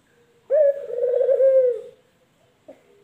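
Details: Male collared dove (puter), local or white variety, cooing: one long, trembling coo lasting over a second that wavers in the middle and fades, followed by a short faint note.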